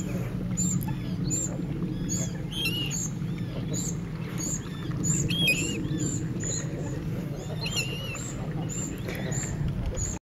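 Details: A juvenile Common Cuckoo fed by reed warbler foster parents at a wetland centre on 23 July 2011 begs with rapid, thin, high-pitched chirps repeated several times a second, over a steady low rumble of wind.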